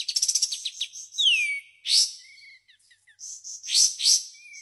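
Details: White-shouldered triller giving a brief quick trill, a long downslurred whistle, harsh buzzy bursts and a few short thin whistles in its 'tembakan' song.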